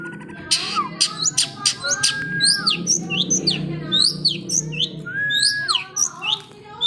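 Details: Long-tailed shrike singing actively in isian style, a song filled with imitated notes: dense run of sharp clicks, quick chevron chirps and slurred whistles, with a few longer falling whistles, over a low steady background hum.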